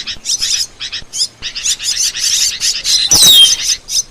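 Asian glossy starling singing a dense, fast run of high, sharp chirps and metallic chatter, with one clear descending whistle near the end.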